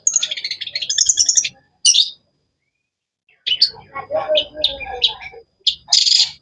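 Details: Long-tailed shrike (cendet) giving sharp, varied chirping: a dense buzzy chattering burst for about 1.5 seconds, a short harsh note, a pause, then scattered clipped chirps and a final rasping burst.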